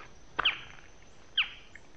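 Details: A Barred Forest-Falcon, heard but unseen in late-afternoon forest of the Yabotí Biosphere Reserve, Misiones, Argentina, gives two sharp, high yelping notes about a second apart, each falling off quickly, over a quiet forest background.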